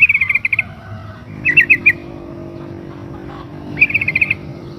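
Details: ['A female sooty-headed bulbul in breeding condition calls the male with short clusters of sharp, rapid chirps, three groups in under five seconds, against faint engine-like hum.']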